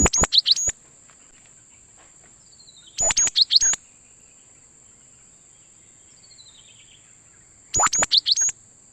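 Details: Cinereous tit call used as a lure for trapping wild birds: three rapid bursts of crisp, high chirps and clicks, repeated every three to four seconds, over an unbroken thin high-pitched whine with faint falling whistles between.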